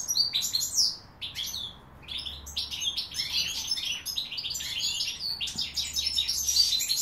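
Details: European goldfinch, 2016 recording, delivers tinkling twitters, a brief pause near the second mark, then a long bubbling sequence of rapid chirps and buzzy trills.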